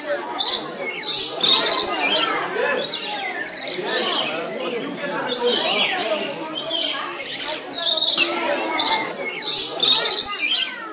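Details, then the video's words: Several colourful lory parrots sitting together and making noise: a dense, continuous jumble of harsh squawks and screeches from overlapping birds, with bursts of louder, shrill cries every second or so. "Lori parrots sitting and making noise"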